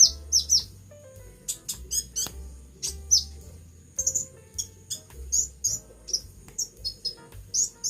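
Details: A captive sunbird, now singing heavily while moulting, gives rapid, very high, thin chirps and twittering notes in quick bursts of several each second, with a low background hum underneath.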